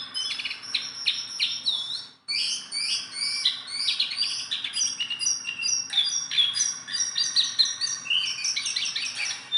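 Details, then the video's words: Hand-tame Sunda bulbul in full, nonstop song: dense high chattering phrases mixing clear whistles, fast buzzy trills and twittering notes, with one brief break early on. "BURUNG JONGKANGAN GACOR TELER JINAK PETETAN"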